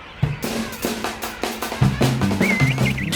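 Drum-led music with a steady beat, bass and a brief sliding synth tone near the end; no animal voices.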